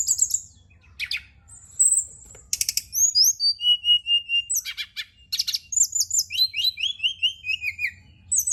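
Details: Lure song of a Brown-chested jungle flycatcher, played at night to encourage singing: high buzzy chirps and sharp bursts, then a long lively sequence of slurred whistles stepping downward.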